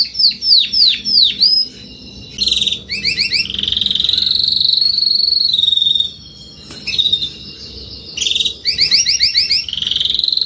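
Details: Adult Spanish Timbrado canary singing: swooping whistled notes, then fast buzzy trills and long rolling tours around a steady pitch, several phrases separated by brief pauses, with faint low background hum.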